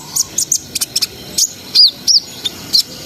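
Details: Brown-throated sunbird, a vigorous singer in the ngriwik ngerol sambung nembak style, meant to raise breeding arousal: scattered sharp high chirps and short rising-falling whistled notes in irregular bursts, with gaps of quiet between.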